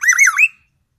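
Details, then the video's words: Black-naped oriole from Aceh, Sumatra, singing magpie-robin imitation: a brief loud harsh warble of rolling, wavering notes ending in a rising whistle. "Kepodang emas gacor,bongkar isian murai batu"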